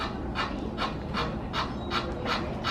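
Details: Duck on the Arusha savanna at Animal Kingdom Lodge, heard from a savanna view room, making an unusual barking noise: short hoarse barks with a faint tonal note, repeated about twice a second, against a low background rumble.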